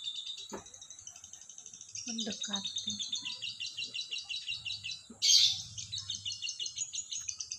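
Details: Morning lovebird chattering in fast, steady runs of high, sharp chirps, broken by one loud harsh screech midway, with faint low voices in the background.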